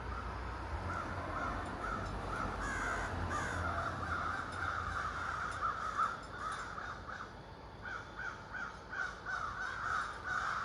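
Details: A morning gathering of more than thirty ravens roosting in trees across the street: steady grating chorus of croaking calls, with distinct short caws pulsing rapidly in the last few seconds over low rumbling background.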